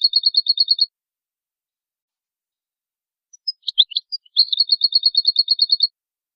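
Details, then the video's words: European goldfinch pure song meant for tutoring goldfinches: a quick, even series of high metallic notes, a short pause, a few scattered chirps, then a longer steady run of repeated tinkling notes about three per second. "How to teach the pure song of goldfinches and songbirds"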